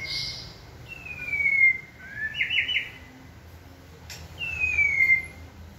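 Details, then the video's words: White-rumped shama trained to sing on a signal: a drawn-out descending whistle leading into a brief rattling trill, a pause with a click, then another falling whistle. "Kỹ thuật kích thích lửa cho chim hót (shama bird)"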